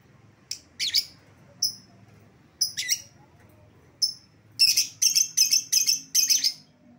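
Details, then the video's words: Lovebird lure calls for calling back an escaped lovebird: scattered shrill high chirps, then a quick run of six harsh, piercing notes near the end. "suara pikat lovebird yang lepas"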